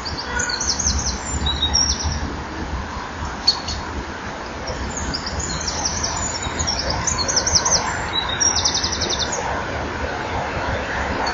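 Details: Eurasian wren at a breeding wall at 18:29 on 11 October 2011, singing from a hole before entering a nest tunnel and digging sand: short, high, rattling trills in scattered one-second bursts over steady low rumbling.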